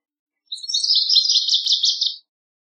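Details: Single short burst of Northern waterthrush song, under two seconds long. A dense run of quick, high, chipping notes tumbles together without pause. Clean background.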